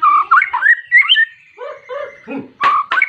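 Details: Persistent white-rumped shama song aimed at a rival, used to prompt other shamas to sing: slurred rising whistles followed by a long thin held note, softer nasal notes, then two sharp harsh bursts.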